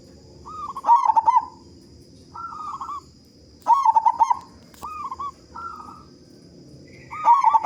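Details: Local big-voiced zebra dove in lively song, played to prompt other doves: three loud rolling trilled coo bursts roughly three seconds apart with soft bent coos between them over a faint high whine.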